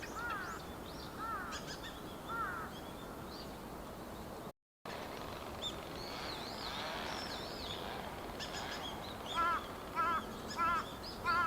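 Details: Wild dusky thrush, a winter visitor, recorded 23 November 2015 from behind with a Panasonic DMC-FZ300 camera and external microphone: short, sharp calls repeated several times near the end, over high chattering of other birds and steady background noise.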